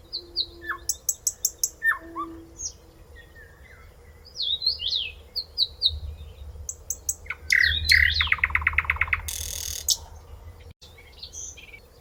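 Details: A close-up common nightingale sings varied phrases: rapid rattling trills, whistled rising notes and harsh buzzy bursts in quick succession, with a faint low hum behind.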